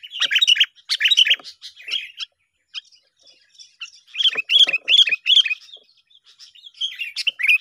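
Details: Sooty-headed bulbuls in a tense singing contest, a sound used for luring birds into traps: dense runs of quick, scratchy chirps and bubbly notes with a short silence in the middle.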